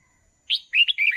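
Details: Red-whiskered bulbul song used for training young birds: a clear upward note followed by a flowing string of warbled, slurred whistles.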